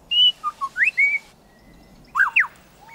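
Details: Superb lyrebird in Australia, its simple territorial call elaborated into a complex song: a run of clear whistled notes, some held and some sharply rising or falling, a brief pause, then two quick upward-sweeping whistles.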